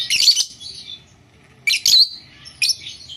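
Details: A blue Fischer's lovebird giving shrill, high-pitched chirps in three short bursts, each a rapid scratchy chatter, separated by brief pauses in a quiet room.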